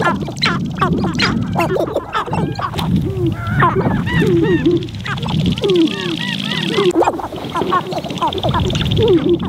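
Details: Several sharp-tailed grouse displaying on a spring lek in Montana, recorded from a blind in wind: a busy chorus of hoarse, duck-like cackles and rising-falling whines, with soft clicks and a faint hiss.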